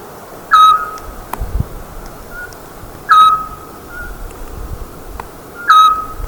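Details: Eurasian scops owl (Otus scops) calling: a single short, pure whistled 'tyoo' note repeated about every two and a half seconds, with faint clicks in the background.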